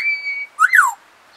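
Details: A pet African grey parrot whistles a long level tone, then a short rising-and-falling whistled slur, in a quiet indoor setting.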